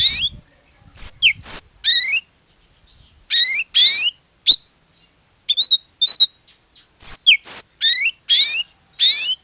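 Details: Oriental magpie-robin (kacer) singing as a lure for other magpie-robins; loud ringing rising sweeps and sharp whistled notes in separate bursts, quiet gaps between phrases.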